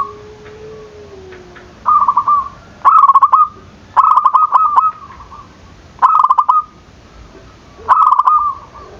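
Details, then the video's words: Zebra dove in full voice, calling to provoke rivals: five evenly spaced, bubbling trilled coo phrases, each roughly half a second, repeated every one to two seconds, with a soft low whistle at the start. "Perkutut gacor dor, memancing emosi lawan bunyi"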